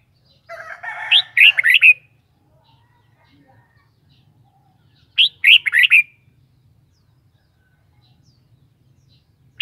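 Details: Red-whiskered bulbul kept by its owner, repeating a short, bright, bubbling phrase of quick warbled notes roughly every four seconds, the first preceded by a harsh buzzy chatter, otherwise quiet.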